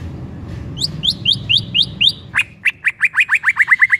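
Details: Trigger song of a white-rumped shama meant to set off another shama: a series of short upslurred whistles repeated about four times a second, then a lower, faster run of similar notes accelerating toward the end.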